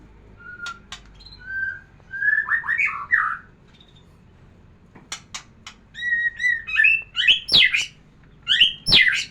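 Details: Murai batu (white-rumped shama) singing to provoke a female into breeding condition: scattered pure whistles and clicks building into rapid, twittering phrases of sweeping high notes, repeated with short pauses.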